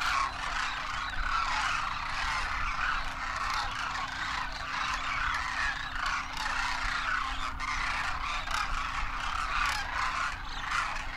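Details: Enormous wild flock of Demoiselle Cranes, adults and first-year juveniles, wintering in Rajasthan, India, calling while airborne; an unbroken wall of overlapping croaking trumpets, steady in loudness for the whole stretch.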